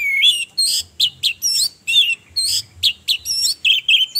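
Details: Orange-headed thrush, presented as a female calling as a lure to stir males' mating urge and aggression so they sing; rapid bursts of varied, sweet whistled and buzzy phrases, short notes repeated in quick succession with brief pauses between, no other sounds.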